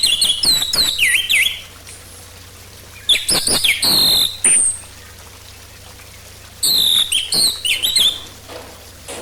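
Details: Orange-headed thrush lure song to prompt a bird to sing: three bursts of loud varied whistles and slurred, swooping notes separated by pauses, over a faint low steady hum.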